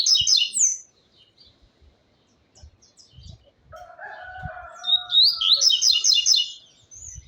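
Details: Midday song of a caged double-collared seedeater: short buzzy trilled phrases of rapid repeated notes, separated by quiet gaps, with a soft whistle-like tone and faint knocks.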